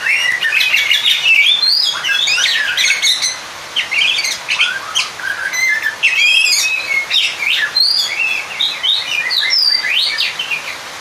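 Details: Caged-bird training recording of a white-rumped shama calling for an opponent: loud, continuous stream of varied whistled phrases, fast slurred notes and chattering trills, with no real pauses over a constant hiss.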